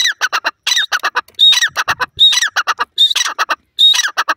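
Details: Grey francolin, or teetar, calling loudly in fast rhythmic bursts. Strident phrases with a high whistled element recur about every second, separated by clusters of short, harsh notes, with nothing else audible.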